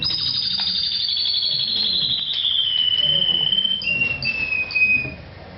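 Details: Caged orange mosaic Isabel canary, its song described as simple and shrill: a long whistled note slowly sliding downward, then brief higher whistles, with quiet background voices.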